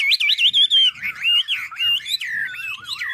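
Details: Chinese hwamei from Ha Giang, Vietnam, delivering loud, fluid whistled song of wavering rising and falling notes, phrases running together with almost no pause.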